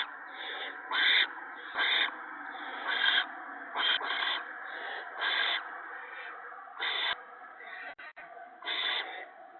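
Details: Owlets and adult at the nest during an evening gopher feeding on March 28, 2017. Uneven, breathy screech bursts sound every second or so, some louder than others, with a couple of faint clicks near the end.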